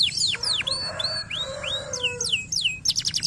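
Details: Canary chirping meant to get lazy canaries singing: bright slurred whistles sweeping down and up, then a rapid buzzy trill at the end, over a constant low hum.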